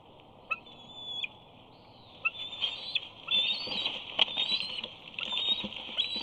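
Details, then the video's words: Young eagle at a Big Bear nest, 2 August 2019, squeeing while trying to get into the nest to claim a fish: a run of high, thin squealing whistles, some rising, with scattered knocks and rustles. "Simba squees as he tries to gain entry to the nest."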